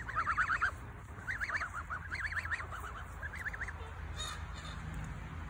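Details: White geese giving a run of wavering, nasal honks in quick bursts, several series repeated over about four seconds, then quiet background.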